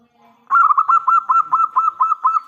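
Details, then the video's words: Local zebra dove singing loudly, used as a lure to make other doves answer: a half-second pause, then a fast run of about nine clipped, cooing notes that merge into a steady hum. "PERKUTUT LOKAL GACOR suara besar"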